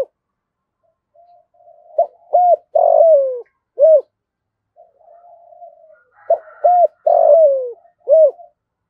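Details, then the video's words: A decoy dove used to lure wild doves, giving a well-pitched cooing call: soft low introductory notes, then a phrase of short rounded coos and a longer falling coo, repeated twice about four seconds apart in a quiet setting. "Chim Cu Mồi Gáy Giọng Rất Chuẩn Để Kích Bổi"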